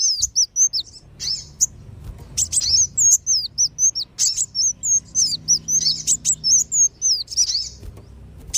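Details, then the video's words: Sunbird lure call (kolibri wulung and sogon) meant to bring wild birds down: bursts of thin, very high chirps and downslurred whistles, several notes each second, with short pauses between bursts. "SUARA PIKAT BURUNG KOLIBRI WULUNG DAN SOGON"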